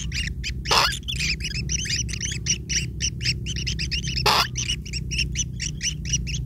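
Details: Feeding time for long-tailed shrike chicks, whose begging forms a steady run of harsh squeaky chirps, with two short loud scraping bursts.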